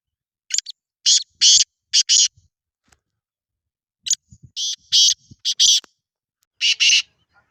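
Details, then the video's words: Black francolin (kala teetar) calling twice, each phrase a brief lead-in note and then a cluster of harsh, rasping, clicking notes, with a few seconds of near silence and soft clicks in between. "کالا تیتر کی آواز"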